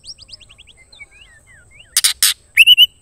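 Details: A female white-rumped shama calls a male. A falling cascade of thin whistled notes is followed by two loud harsh rasping bursts, then a steep rising whistle with quick chips.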